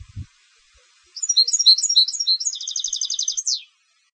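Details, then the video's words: European goldfinch bred for competition sings a single phrase: scattered bright chirps accelerating into a rapid, regular buzzy trill and finishing with a sharp downward slur; a low thump precedes it. "Canto del Jilguero de Concurso"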